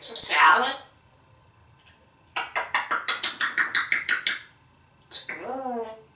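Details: Male African Grey Parrot, a household pet in Texas hatched in 1997, chattering in the shower: a raspy opening sound, then a rapid string of about twelve clipped, evenly spaced syllables, closing with a wavering voice-like call.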